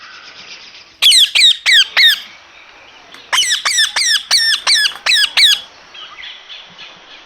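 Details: Green parrots squawking: two bursts of loud, harsh, downward-slurred screeches, about five rapid calls each, separated by a short pause, with steady background hiss.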